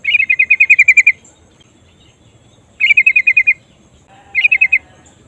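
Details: A female yellow-vented bulbul calls a male in three rolling bursts of quick, sharp chirps, the first longest and the last shortest, with quiet gaps between.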